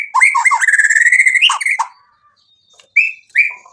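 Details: White-rumped shama song used to provoke a rival: a rapid rattling run of repeated notes, then a pause and two rising whistled notes.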